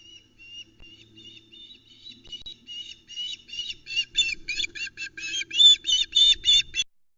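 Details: At the Loch Arkaig nest on 31 Aug 2020, female osprey Vera gives a rapid series of high, whistled, squealing notes, about three per second, building more urgent as her mate brings a mackerel; a possible intruder is suspected.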